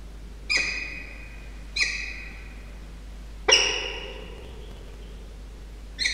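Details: Peregrine falcons, three birds in a bonding display, recorded 19 November 2023: four harsh, sharp-onset calls spaced one to two seconds apart, the third longer with a trailing tone, over a quiet hum.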